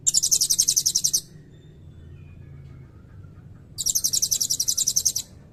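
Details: Two long, steady trills of rapid, piercing high notes from a blue-crowned hanging parrot, each over a second long and separated by a quiet gap of more than two seconds; long cililin filler song.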